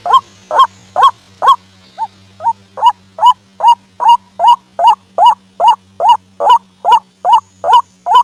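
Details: Repeated harsh 'kruak' croaks of a white-breasted waterhen, played as a night lure for bird traps, start strong, briefly weaken, then resume as a fast, regular series of over two notes per second over a faint steady hum.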